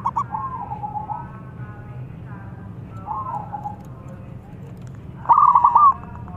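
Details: Local zebra dove calling while a rival answers. Faint, wavering coo phrases drift in the background, then one loud, clipped, stuttering coo bursts out near the end. Steady low background noise throughout.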